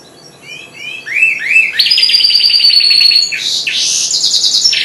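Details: Young goldfinch hybrid, four months old, in early song: rising upslurred whistles build into a rapid, buzzy, high trill with twittering flourishes, continuous and loud throughout.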